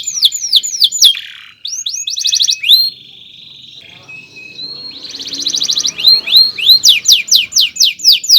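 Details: Long chirping canary song used as a tutor for other birds: fast slurred notes and trills, a sustained steady whistle mid-phrase, then a bright run of repeated sweeping chirps with faint background rustle.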